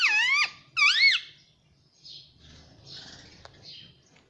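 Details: Talking pet parrot kept indoors, known for saying "mummy": two loud, hoarse, harmonic syllables bending up then down in pitch at the start, followed by quiet room sounds and soft noises.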